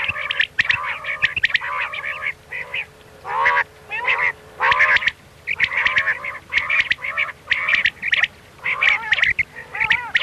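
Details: Common quail calling in the 'miankan' style used by night hunters: a long series of nasal, slurred harmonic notes and short sharp chips, closely repeated over ten seconds, with a low steady hum.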